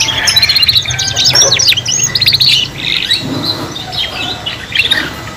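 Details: Kenari paud, young canaries learning to sing together in a three-in-one mix: bursts of rapid high trills and sweeping whistles, pausing briefly midway before quieter chattering phrases resume, low hum in the background.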